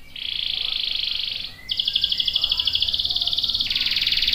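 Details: Long canary roll, used to train juvenile and adult canaries: two extended, even, buzzy trills held high and unbroken, the second slightly brighter, with faint background hiss.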